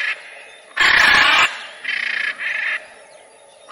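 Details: Macaw giving one loud, rasping screech followed by two shorter, softer nasal calls, with a faint call at the end.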